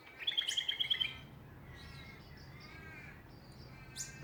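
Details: Australian songbird in a Ballajura backyard, Western Australia, delivering a quick trill of about eight evenly spaced bright notes, then softer warbling phrases and a single sharp chip near the end.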